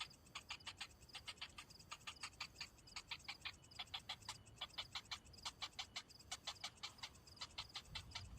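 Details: Sharp ticking begging from a hungry cinnamon bittern chick left without food by its parent, about three clicks per second in uneven clusters that run almost continuously.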